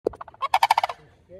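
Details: Sandhill Crane, one of a mated pair calling out to protect their tan colt at Orlando Wetlands Park, Florida, gives a loud, rolling, trumpeting rattle of about ten quick pulses in under a second; a faint human voice follows.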